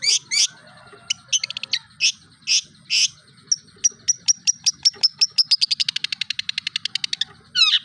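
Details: Long-tailed shrike, locally cendet, performing current imitated material including tengkek buto, kunti, armagedon, kapas tembak, cucak jenggot and lovebird. Loud scratchy notes open, then a long accelerating series of sharp ticking clicks, ending in a harsh burst.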